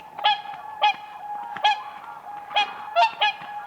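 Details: Whooper swans dancing on ice in spring: clear bugling honks with strong harmonics, repeated roughly every half second to second, over a steady murmur of the flock.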